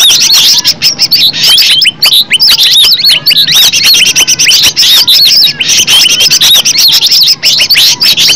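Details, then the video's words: Green leafbird song, known locally as cucak ijo, played to trigger other birds: an almost continuous torrent of rapid, looping whistled notes and twitters, high-pitched with very few pauses. "Cucak ijo suara alam suara asli,pancingan cucak ijo bakalan LANGSUNG BUNYI,NYAUT dan GACOR"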